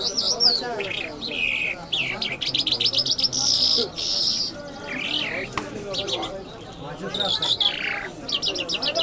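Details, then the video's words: Iranian lark of the Mashhadi type singing: loud high whistled phrases, rapid repeated trills and sliding notes in bursts, with a low murmur of music and voices underneath. "Jal Birds Iranians Lark Sounds | صدای طرقه، مشهدي مست"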